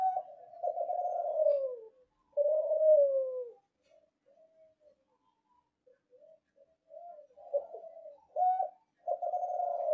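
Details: Young ringed Kelantan-strain derkuku, a kept contest-type dove bred from ringed parents, giving its song: mellow low cooing phrases, long drawn and slightly falling notes with short broken coos between, its ending still forceful, indoors with no other sounds.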